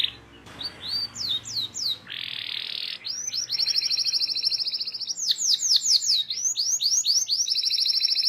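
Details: Canary singing at length as a lure for young canaries learning to sing: rising whistled sweeps, a harsh buzzy burst, then extended rapid rolling trills over a faint low hum.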